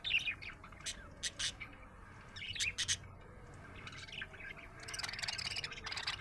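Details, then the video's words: Happy budgerigar chirping: a few sharp clicks and short chirps early on, then a soft, busy chatter of high notes toward the end, with faint hum beneath. "Happy budgie chirping sound"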